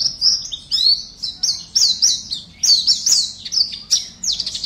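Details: Online contest entry of a caged Oriental white-eye from West Kalimantan: bright, rapid chirping song of short high notes, clustered in quick bursts roughly every half second.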